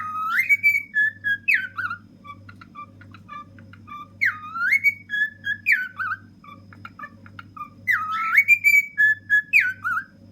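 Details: Happy, energetic ten-year-old male cockatiel kept as a pet sings from the top of a fridge, repeating a rising, swooping whistled phrase about every four seconds with faint clicks between, against a steady low hum.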